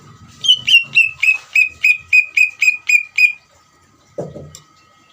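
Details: Lure song of an actively singing Greater green leafbird for provoking another leafbird to answer. About twelve rapid, evenly spaced falling whistles, about four per second, then a short low thump after the series ends.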